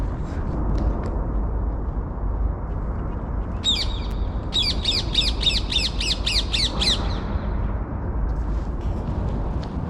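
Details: Parakeets in Woolwich, London, on a sunny, still, 2°C February morning by the Thames: about nine harsh, shrill squawks over three seconds over steady low outdoor rumble. Parakeet.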